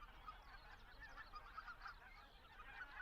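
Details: Greater white-fronted geese migrating through Estonia toward Arctic breeding grounds, recorded in flight with a Zoom F6 and Sennheiser MKH 8040; a dense, continuous chatter of overlapping nasal, yelping calls from several birds, fairly distant.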